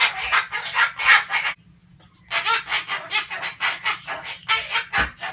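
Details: Pet male sulphur-crested cockatoo ranting: rapid runs of loud, harsh, raspy squawks in quick succession, a short pause near the middle, then another long burst of chattering screeches.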